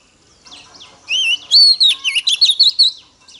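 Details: Female Oriental magpie-robin, whose song serves to excite male birds. Soft chirps lead into a wavering whistle, then a high falling note and a rapid sequence of bright, bouncing notes.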